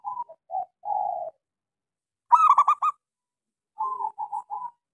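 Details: Local zebra dove, used as a lure to stimulate silent doves into singing, gives soft cooing phrases: low hooted notes, a loud rolling burst of four quick coos, then three short repeated coos.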